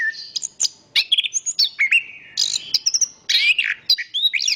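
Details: Chestnut-capped thrush in fast varied song, sharp high clicks and chips interspersed with drawn-out whistles and sweeping slurred notes, faint background hiss throughout.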